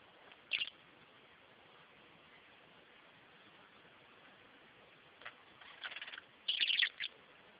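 A budgerigar gives a few short, scratchy chirps between long quiet stretches.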